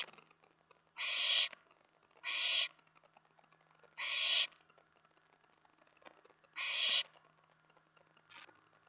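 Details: Owlet inside a nest box at night on May 19, 2017, excited as an owl arrives at the tray after a mouse delivery: four loud, harsh hissing screeches, each about half a second, about one per second, then a shorter fifth burst.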